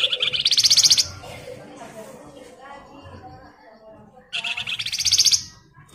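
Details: Flamboyan song meant to prompt other birds: two bursts of fast, buzzy, rattling trills about four seconds apart, with low murmuring background sound between them.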